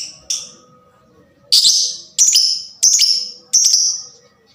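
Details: Fighter-style lovebird calling, meant to stimulate all kinds of lovebirds to sing: shrill, harsh, piercing screeches, one short note and then four long buzzy calls repeated roughly every 0.7 seconds, over faint low background hum.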